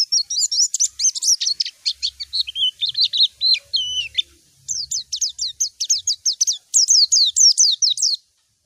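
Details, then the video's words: White-eye calling a rival: continuous excited twittering, a jumble of high chirps and whistled slurs, then a steady stream of sharp downswept chirps repeated rapidly, clear recording. "Masteran suara burung PLECI MANGGIL LAWAN"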